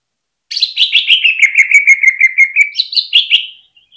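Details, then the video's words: Greater green leafbird (cucak ijo) on a hanging stand, singing in the rapid 'ngentrok' style used to stir other birds into song: about twenty quick chattering notes slide steadily downward in pitch, then jump higher for a final short burst. "PANCINGAN CUCAK IJO BIKIN NGENTROK FULL HYPER DI GANTANGAN"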